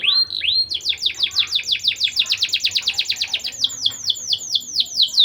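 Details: ['Canary in full voice, used to raise mating drive in young canaries, gives two rising notes and then a long rapid string of falling chirps that slows slightly toward the end.']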